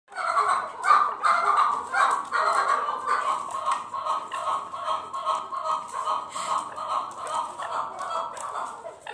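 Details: Chukar partridges fighting: a steady run of harsh, clucking chuck notes, repeated more than twice a second with uneven spacing and rising and falling in loudness, over a faint background murmur.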